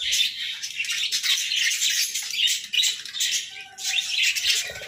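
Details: Pet budgerigars during their morning routine: a dense, continuous high chatter of overlapping chirps and tweets from several birds, with bursts of warbling swelling and fading every second or so.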